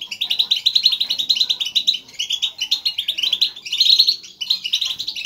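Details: Excited chatter of several European goldfinches, used to motivate a single caged bird to sing; dense twittering and tinkling trills in long runs with a short pause midway.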